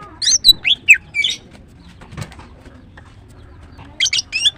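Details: Morning song of a female greater green leafbird: a rapid run of bright, high whistled and squeaky notes, a silent gap of nearly three seconds, then another quick chirpy burst.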